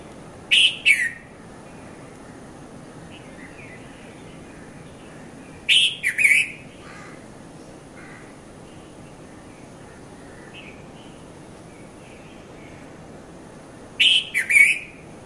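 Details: Red-vented bulbul, known locally as Konda Kurulla, calling at dawn between 5:30 and 5:40 a.m. in Mount Lavinia, Sri Lanka, filmed on a Nikon Coolpix P510; three bright chirping bursts of two or three notes each, separated by long pauses over a soft background hiss.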